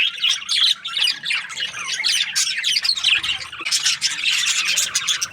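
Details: Budgerigars, breeding pairs kept in an aviary, chattering together: a dense, unbroken wash of overlapping high chirps, squawks and warbles from many birds, with a brief lull just before the fourth second.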